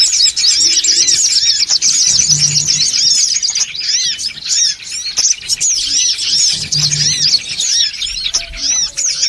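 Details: Songon otong birds in a busy lure recording: a thick wash of high chirps and looping twitters from many birds, briefly softer midway, with a faint low hum.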